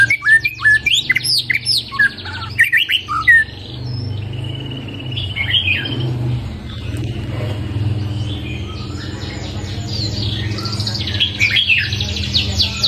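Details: White-rumped shama after one moult: a burst of loud, varied whistled notes at the start, then quieter scattered high phrases over a constant low hum.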